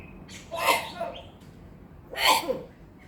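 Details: Talking common hill myna, known to say assalamualaikum and cough like a human, gives two loud, harsh, hoarse speech-like bursts about one and a half seconds apart over faint background noise.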